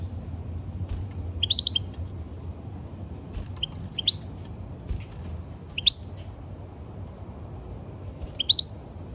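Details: European goldfinch kept in a cage, uttering short scattered clusters of high tinkling chirps separated by pauses of one to two seconds, with a soft background hum.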